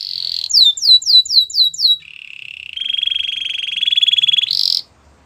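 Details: Spanish Timbrado canary singing: a high whistled note, then a run of six sweeping downslurred notes about four per second, followed by a lower steady buzzy trill that rises slightly in pitch and ends in a short high burst.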